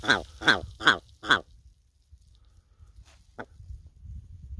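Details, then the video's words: Chatty red grouse on snowy moorland in winter, met on a mountain bike ride: four harsh, rasping notes repeated about every 0.4 seconds, then quiet with a faint, brief further note. "Talking Red Grouse"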